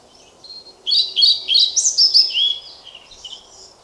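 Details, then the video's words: Loud, clear song of a European pied flycatcher: a brisk phrase of high, sweet, alternating notes lasting about two seconds, in a quiet setting. "Мухоловка-пеструшка поёт"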